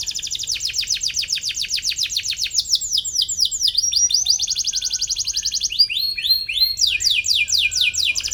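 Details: Atlantic canary song provoking a rival, used as a model for young canaries: long unbroken sequence of fast high trills, each tour with a different syllable shape, from steady rattles to sweeping arched notes.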